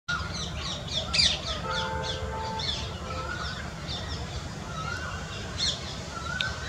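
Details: Adult spotted owlet giving a rapid series of harsh, scratchy chattering notes, bursts clustered early then scattered, with a few steady tonal whistles from other birds and a constant low rumble of background noise.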